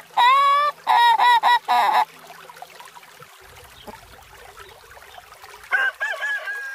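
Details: Adult rooster crowing: loud, nasal, harmonic notes, one drawn opening note, three quick clipped notes, then a longer closing note. After a quiet stretch, a second crow rises and wavers near the end.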